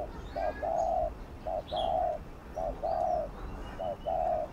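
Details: Gù (bo) coo of a spotted dove, meant to prompt other doves to sing. It repeats a short note followed by a longer, level coo, roughly every second. Faint chirps from other birds and a steady background hiss run underneath.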